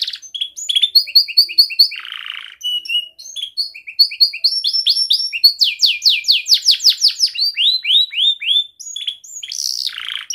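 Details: Young canary singing energetically in tight rolls, a tutor song for young canaries: repeated chirps, a brief buzzy burst, pulsing chip series, then long runs of fast downslurred whistles and a final buzzy flourish.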